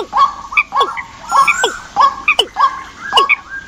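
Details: Bird decoy calls compiled for the migration season, from Vietnam: nasal, harmonic notes rising and falling, given in short bursts roughly every half second, with brighter high chirps between them against a faint background hiss.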